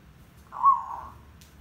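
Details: Zebra dove song meant to lure birds for trapping: a single short, slightly rising mid-pitched coo with a softer tail, in an otherwise quiet setting.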